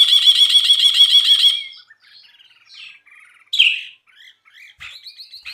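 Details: Brinji bulbul in a songbird tutor recording: an intense, fast, rattling trill of repeated buzzy harmonic notes for about one and a half seconds, trailing into soft twitters and a sharp isolated chip.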